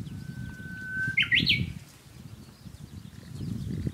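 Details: Japanese bush warbler singing well, heard along a walk: a long, steady, level whistle of about a second, then a quick flourish of short notes that jump upward and end sharply, over low rumbling footsteps and handling noise.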